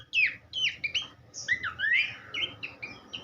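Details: Horsfield's babbler song used as tutoring material for cage songbirds: short slurred whistles rising and falling in quick succession, some notes sharp and clipped, a faint low hum beneath.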